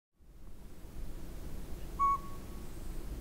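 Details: Northern pygmy owl near the Sea to Sky Gondola giving a single short, clear whistled toot, steady in pitch with a faint trailing tone, over a low background rumble.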